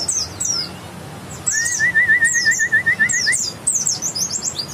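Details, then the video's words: West Javan white-eye of the bukstoni type, grey-white breast with a yellow line, giving quick high twittering chirps in bursts, while a lower warbling whistle wavers steadily for about two seconds in the middle. "Bukstoni lovers"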